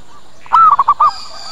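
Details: Zebra dove lure call, played to draw birds in and make them respond. A single short phrase: an arched mellow coo and then three quick soft notes. A thin high whine lingers afterwards.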